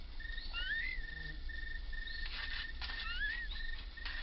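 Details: Bulbul at its nest as a skink eats the chick in front of the mother: short upswept whistled notes over a steady, level whistled tone that breaks off and resumes, with a low background rumble.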